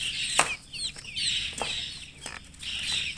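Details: Close, loud chirping of baby chickens: long, bright, high whistled peeps that slide down, in a few bursts separated by sharp knocks.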